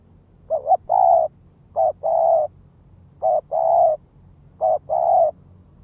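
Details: Spotted dove calling to lure wild birds: four paired phrases, a short double note then a longer full coo, spaced about every one and a half seconds.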